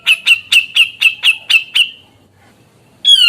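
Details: Grey-cheeked bulbul singing vigorously to trigger song from others of its species: eight quick, evenly paced clipped notes over about two seconds, a pause, then one loud harsh downslurred call.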